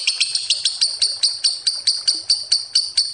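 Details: Lovebird giving sharp, clipped high chirps used as a lure, about fourteen in three seconds at a brisk, fairly steady pace.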